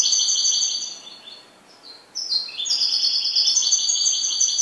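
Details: A pet goldfinch sings high, bright twittering phrases of rapid trills and tinkling notes, with a brief pause midway before a fresh burst of jangling song.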